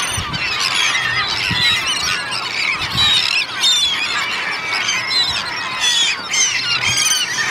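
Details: Gulls feeding en masse on a Danish beach, Fanoe, 14 August, alongside Kentish and common terns; clamour of overlapping squeals with clear rising and falling whistled cries standing out every second or so.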